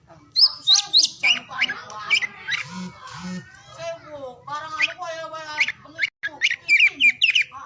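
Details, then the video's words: Oriental magpie-robin singing to stimulate quiet or lazy birds: a varied medley of harsh, buzzy, rasping phrases with a few high whistled slurs, broken by brief pauses. "KICAUAN KACER DI PAGI SIANG SORE HARI UNTUK MERANGSANG KACER BISU DAN MALAS BUNYI AGAR CEPAT GACOR"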